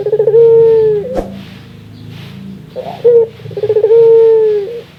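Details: Barbary dove giving its rare laughing call: a rapid burst of stuttering pulsed coos that runs into a long, even, held note. The sequence is repeated twice, with a brief click and soft background music between the calls.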